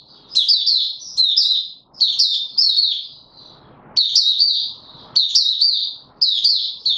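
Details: White-eye in a cage, pushed on form and opening song on 31 December 2021: loud, high chattering phrases of rapid looping notes, delivered in bursts roughly every second with short quiet gaps.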